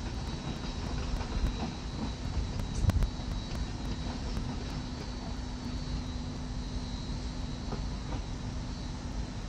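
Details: A steady low rumble of aircraft and traffic noise fills an urban outdoor scene, with faint clicks and a brief louder knock near three seconds.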